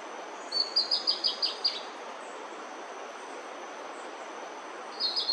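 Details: Bertoni's Antbird singing while foraging on bamboo in Brazil: a quick, high series of about six sharp, raspy notes, then the start of another phrase, over a steady background hiss.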